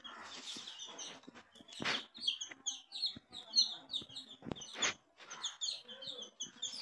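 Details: Coloured baby chickens cheeping, clusters of thin high falling peeps amid loud scratching and knocking sounds and faint background voices.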